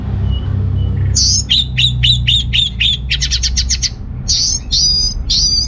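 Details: Orange-headed thrush from North Bali, singing to spur males lacking breeding drive: a run of about seven evenly spaced sharp downslurred notes, then a rapid buzzy trill, and several loud ringing phrases, over low hum.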